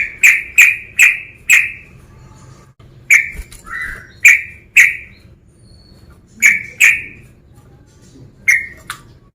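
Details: Sooty-headed bulbul male provoking a rival: loud clear chirps in quick pairs and quartets, spaced by short pauses, one lower slurred note in the middle; steady faint background hum.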